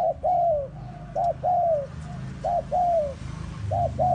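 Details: Bait spotted dove kept for luring wild doves in the forest, cooing loudly and steadily: a short clipped note, then a drawn-out descending coo, repeated roughly every second and a quarter against faint background hum.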